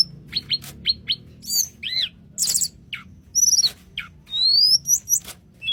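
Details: Tledekan gunung singing in a flute-like style, with rapid high chirps, buzzy trills and a long rising whistled phrase near the end, notes arriving roughly once a second at irregular spacing.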